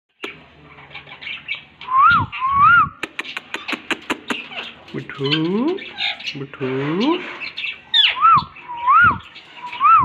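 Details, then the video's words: Talking green parrots: repeated rising-falling whistles, a burst of rapid clicks, harsh squawks and speech-like mimicked syllables, with whistles returning at the end. "Talking Green Parrots / Bolna wala Toota"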